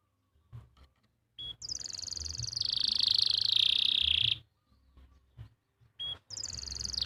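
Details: Canary in Pati, Central Java, singing a master tune for training stalled or juvenile canaries: a short high note leading into a long, rapid, descending buzzy trill, quiet clicks, then the same phrase beginning again.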